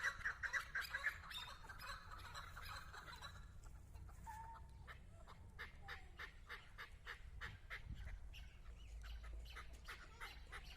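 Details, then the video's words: Chukar partridge kept as a hunting decoy, calling before a female: clipped, harsh chuck notes repeated about twice a second, with a short higher note near the start and steady low rumble behind. "Кабки шикори дар пеши модкабк"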